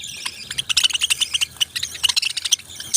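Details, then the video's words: Parrots chirping: a dense run of short, high, bright chirps and tweets, rapid and overlapping throughout, with quick bursts of several notes and almost no pauses. "Beautiful Birds Cute Chirping Sounds"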